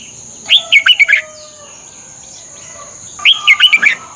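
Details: Red-whiskered bulbul song from Thailand, used to train caged birds: two short chattering phrases of five quick, looping whistled notes, separated by about two seconds of quiet, with a faint steady high whine behind.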